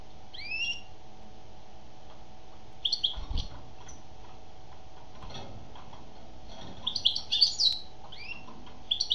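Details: Female European goldfinch song in scattered bursts: a few quick tinkling, upward-flicking notes, a long quiet gap, then a denser twittering cluster and a final short phrase, with a steady low hum behind.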